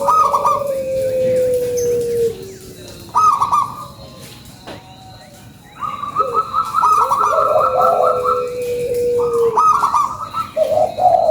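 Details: Actively singing local zebra dove as a lure: long, gently falling coo lines overlapped by higher, trilled coo phrases, repeated in bursts with a quieter stretch midway and light background hiss.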